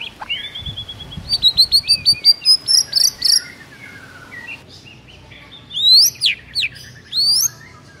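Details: Morning song of a white-rumped shama (murai batu) with rich fill: a high, level whistle leading into a quick series of rising chips, then later loud, steeply upswept notes.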